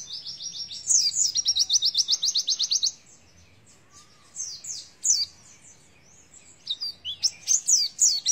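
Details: Oriental white-eye in 'nembak isian' style opens with an even, rapid trill of high repeated notes, falls silent, then returns with separate sharp chirps and a closing twittered burst.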